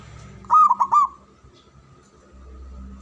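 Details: One rolling phrase of four quick, hollow coo notes from a male zebra dove, followed by a faint steady background hum.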